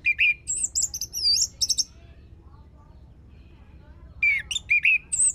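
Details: Orange-headed thrush song played as a lure to make the bird sing: two bursts of varied whistled phrases, sliding and warbling between mid and very high pitch, separated by a quiet pause.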